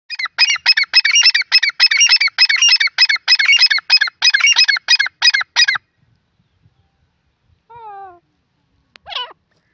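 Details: A pair of grey francolins calling: a rapid run of harsh, ringing, harmonic notes repeated about three per second for nearly six seconds, then a pause, a short descending whistled series, and a brief upward squeal.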